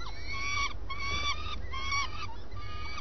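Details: Common swift calling at its nest in the early morning: four clear, drawn-out nasal notes with strong harmonics, each rising then falling slightly, spaced about half a second apart, over low background hum.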